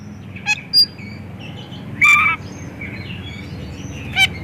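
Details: White-rumped shama song played to coax other shamas into singing, with brief sharp chirps and one sustained clear whistle near the middle, separated by quiet gaps over faint background noise.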